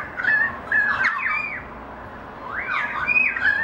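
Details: Currawongs singing as a family group, giving two bursts of ringing, slurred whistles and gurgles that swoop up and down, with a quieter gap between the bursts.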